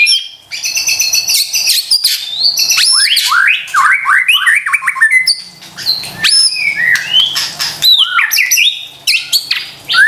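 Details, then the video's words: Lure recording of white-rumped shama song meant to rouse stressed or reluctant birds: dense, loud, fast-changing whistles and sharp upward sweeps, rich varied phrases with short pauses, some harsh notes mixed in. "PANCINGAN murai batu STRES dan MALAS BUNYI seketika LANGSUNG nyaut dan GACOR dengar suara INI"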